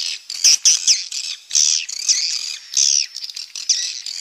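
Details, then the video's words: Swiftlet calls, a recording offered for playback through two-player amplifiers: dense bursts of buzzy, chattering high-pitched chirps in clusters, with short gaps between groups and no other sounds. "suara burung walet berkuilitas cocok untuk ampli dua player"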